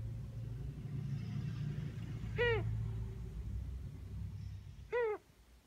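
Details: Pet female Ringneck dove, almost a year old, repeating an unusual noise more frequently lately; two short arched nasal squeaks about two and a half seconds apart over a steady low rumble.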